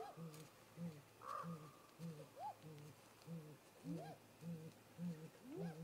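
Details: Great grey owl pair at a nest snag in late afternoon daylight, 13 April 2018, 18:58 MDT, on a remote nest camera. A steady series of deep, soft hoots about every half second, mixed with higher rising whooping upslurs.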